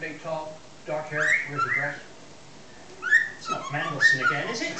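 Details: A six-month-old pet cockatiel whistles mashed-up versions of the Chocobo and Addams Family tunes, clicking for the "bom bom" parts, in short bright phrases of sliding notes, with a person's voice murmuring underneath.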